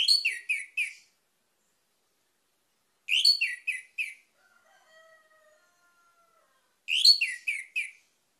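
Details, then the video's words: Orange-headed thrush song used as a lure to get other birds singing: three bursts of four rapid, rich whistled notes spaced roughly three seconds apart, with faint thin tones in one gap. "PANCINGAN ANIS MERAH CEPAT GACOR"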